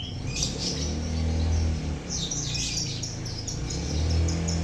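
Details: Colony of lovebirds, a recording meant to coax silent lovebirds into singing: dense, continuous high chattering of many overlapping chirps and twitters, several birds calling at once, with a constant low droning hum beneath.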